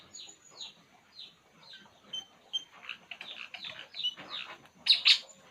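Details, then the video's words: Relaxed puling bird giving quick descending chirps, spaced about half a second apart at first, then crowding into a busier run and ending with two loud sharp notes. "burung puling. Inilah yg dilakukannya saat santay"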